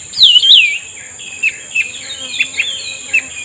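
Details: Cucak rumbai tungging being trapped and responding to a lure: one loud, fluid, whistled phrase at the start, followed by scattered soft, short chips, with a constant high-pitched electronic tone.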